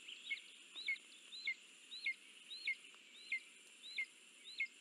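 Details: A lesser spotted eagle at the nest while food is delivered, 9 July 2024: eight clear, high, hooked yelps spaced roughly half a second apart over a constant background hiss.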